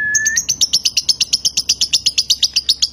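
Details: Nganjuk-bred konslet lovebird performing its long continuous singing: a short clear whistle, then a regular train of sharp, high chirps, nearly three per second.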